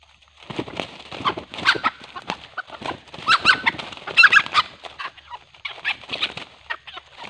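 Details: Red junglefowl calling while wild junglefowl are lured with a decoy, the wild birds described as growing fiercer; a busy run of loud, rough clucks and squawks in irregular bursts, several birds apparently overlapping.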